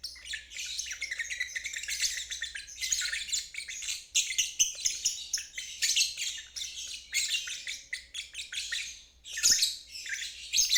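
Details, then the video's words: Ngeriwik trilling of a lovebird, played to help stalled or young birds learn the sound: an almost unbroken, scratchy, fast-pulsed chatter rising and falling in loudness, with short gaps, and a faint low hum underneath. "Terapi Lovebird ngeriwik"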